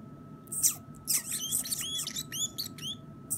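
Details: A pet male Pacific parrotlet, nine years old, recorded indoors in September 2017 while picking and chewing and chattering a little: sharp, high, bent chirps in quick irregular bursts, with a person speaking softly nearby.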